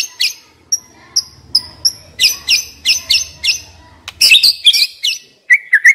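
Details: White-rumped shama used as a decoy, uttering repeated high sharp chips that quicken into buzzy chattering phrases, then ending in short whistles.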